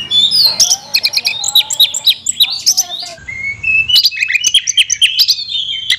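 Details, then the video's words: Oriental magpie-robin pouring out a rich song: fast chips and whistled phrases about four notes per second, a rising drawn-out whistle after a brief lull, then more rapid varied notes. "kacer isian mewah"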